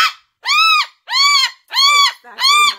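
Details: An adopted pet umbrella cockatoo screams indoors while its owner talks, giving four loud, harsh, arching screams, each about half a second long and roughly two-thirds of a second apart, with a faint human voice near the end.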